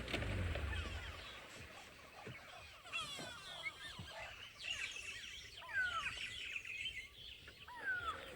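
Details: On an African sunrise safari drive on 24 September 2018, several birds give harsh, chattering alarm calls at something unseen near a drainage line, with sharp descending whistles every couple of seconds over engine and wind rumble.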